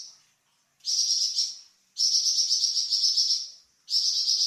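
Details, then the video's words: High, sizzling trilled phrases from a Flamboyan bird, a songbird kept for training other songbirds. A short burst is followed by a long, even two-second trill, then another begins. "Suara variasi burung flamboyan untuk masteran cucak ijo dan murai batu"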